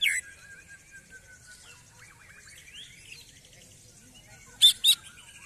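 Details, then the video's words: An excited greater green leafbird, singing even more after its first contest, opens with a sharp loud note, then soft high twittering and slurred whistles, ending with two harsh, loud bursts about a third of a second apart. "CUCAK IJO EMOSI SETELAH LOMBA"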